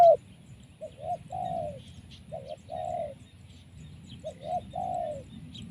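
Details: Trapped wild spotted dove with a strong voice gives soft, husky coos in paired and triple phrases separated by short pauses, quieter than its loudest bouts, with faint high chirps and low rumble behind.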